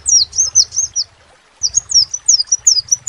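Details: Crimson sunbird giving a short burst of high, thin, slurred chirps, a silent break of half a second, then another quick run, with a soft low hum behind.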